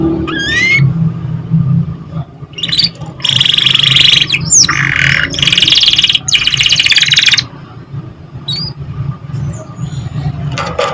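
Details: A canary song meant to stimulate young canaries to sing: a few rising whistles open, followed by long loud phrases of rapid buzzy trills, easing into sparse high chirps over a low steady hum.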